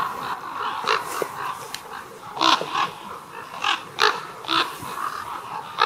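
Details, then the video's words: Chorus from a roost of over 200 common ravens, amplified: overlapping raspy croaks and guttural calls over a steady murmur of many birds, with sharper calls standing out roughly every half second. "Raven roost"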